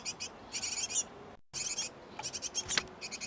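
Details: Inside a nest box occupied by a Great tit pair feeding their young, shrill high chirps pulse in quick clustered runs, briefly cut off, then resume with scattered sharp notes.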